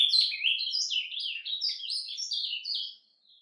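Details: Captive ultramarine grosbeak giving its surdina, a soft whisper song used to warm up other males: a rapid, run-on twittering warble of high slurred notes rising and falling, fading out near the end.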